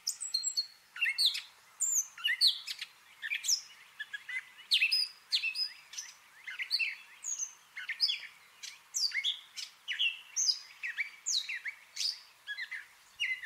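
A gray catbird runs on in a long, jumbled song of squeaky, scratchy and whistled phrases, mimicking other birds, several notes each second.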